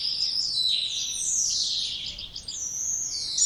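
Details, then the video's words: Song of the spotless starling, made of drawn-out high whistles that waver and slide down, with brief twittering notes in between. "Canto dos Estorninho Impecável ou Estorninho Imaculado"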